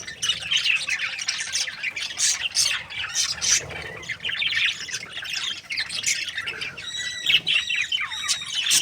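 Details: A happy pair of breeding budgies chirps and squawks in a busy stream, ending with clearer whistled, wavering notes over the scratchy chatter.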